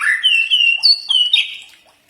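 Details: Common iora song meant to make birds respond: a connected string of loud whistled notes, rising then holding, with higher sharp accents in the middle, fading out at the end.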